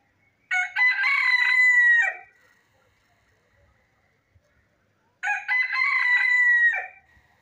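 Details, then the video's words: Country chicken crowing twice, each crow a loud, harsh, drawn-out call lasting about a second and a half, starting with a rough break and ending in a falling tail, with silence in between. "Hen Sound Effect"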